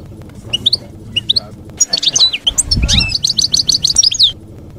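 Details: European goldfinch in campero-style song for training juveniles: scattered chips open into a dense run of liquid, quickly repeated twittering notes, with a brief low thump in the background.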